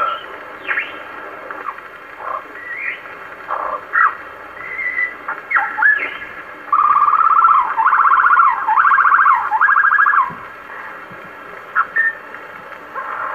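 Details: Wild superb lyrebird in Sherbrooke Forest, Victoria, Australia, giving its own song amid forest sounds: a varied run of clear whistles, slurred notes and short sharp phrases, then a sustained rolling warble for several seconds before varied notes resume.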